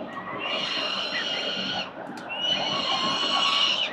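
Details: Four peregrine falcon chicks at a nest on a city building in Victoria during a morning feed on 4 November 2021: two sustained, grating screams, each nearly two seconds long, over steady low rumble.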